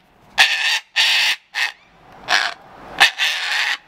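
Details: Cockatoo throwing a tantrum: six loud, harsh, raspy screeches in quick succession, each about a third of a second long, separated by short silences.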